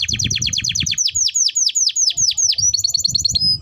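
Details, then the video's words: Timbrado canary song of quick repeated notes, then slower deep downward-sweeping whistles about four per second, ending in a brisk high trill; low background rumble. "Timbrado canary singing beautiful melody"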